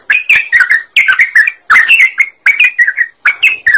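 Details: Sooty-headed bulbul in lively full song, used as a lure to draw other birds into singing: bright bubbling whistled phrases around mid pitch, each burst of rapid notes lasting about half a second, separated by brief pauses.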